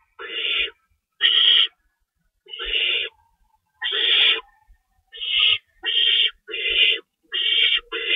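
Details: Feeding time at an owl nest, 3:53 AM, March 25, 2012, two rabbits cached: nine breathy, rasping hisses, loosely spaced at first and then coming faster toward the end.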